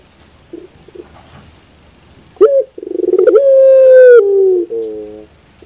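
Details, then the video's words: Collared dove singing after faint soft notes: a sharp introductory note, a rapid stutter of pulses building into a drawn-out level coo, ending in a lower, gently falling purr. "your puter bird will definitely sound"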